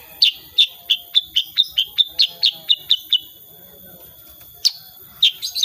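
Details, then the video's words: 'Tembakan' shooting song of a prolific sooty-headed bulbul. A rhythmic volley of around twelve sharp high chirps comes at roughly three per second, then a pause and a few further chirps at the end. "KICAUAN KUTILANG SUTRA SUPER GACOR"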